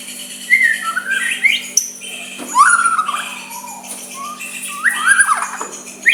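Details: Soft white-rumped shama song used to stir a rival to reply: scattered slurred whistles and downward sweeps in separate phrases with quiet gaps, a faint constant low hum throughout.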